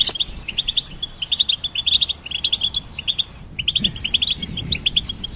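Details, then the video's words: Goldfinch song: a fast, high, tinkling twitter of bright chirps and short trills, running almost without pause. "Goldfinch Symphony"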